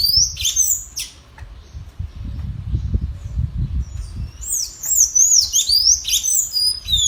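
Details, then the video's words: Captive tanager answering a free wild bird in a singing contest: rapid high squeaky, wavering phrases opening and closing the passage, set against steady low rumbling noise. "Sanhaço disputando canto com o solto da natureza!"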